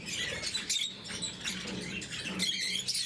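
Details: Blue-mutation lovebirds chatter at their morning meal: mouse-like squeaks and piercing chirps run together, along with a faint low hum.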